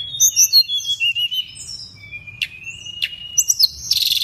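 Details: Pygmy cupwing pouring out high twittering notes, then a long thin level whistle broken by two sharp clicks. The phrase ends in a buzzy, scratchy burst.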